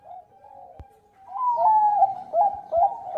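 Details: Bangkok-type zebra dove in lively song, used as a lure sound to make other birds sing, with a big voice and melodious phrasing. Soft mid-pitched cooing swells into a longer ringing coo, followed by short bubbling notes and a few sharp clicks.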